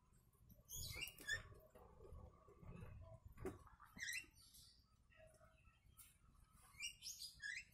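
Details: Song of a yellow-vented bulbul filled in with kutilang (sooty-headed bulbul) phrases for training birds: scattered high chirpy notes and quick warbled bursts come every second or two, with a low constant hum and some tapping underneath.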